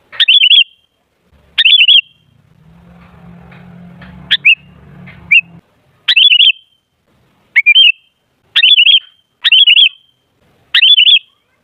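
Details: Sooty-headed bulbul song used as a lure to set other bulbuls chattering: about nine short bubbly, warbled phrases, roughly one a second, with a low droning hum partway through.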